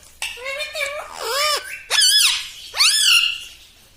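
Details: Pet ringneck parrot talking in a small room, producing three or four drawn-out, nasal, harmonic phrases with swooping arched pitch, separated by brief pauses.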